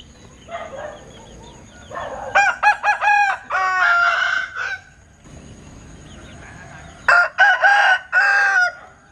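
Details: Linh Kê chicken rooster giving an unusual crow: two loud, harsh bouts, each a few choppy stuttering notes then a long drawn-out strained note, separated by a quieter gap with faint background noise.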